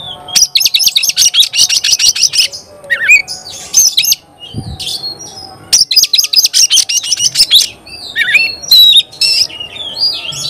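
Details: Energetic 'gacor' song of an Oriental magpie-robin, meant to get other magpie-robins worked up: fast buzzy trills of rapid repeated notes alternate with swooping whistles and harsh chatters, with a brief thud in a pause.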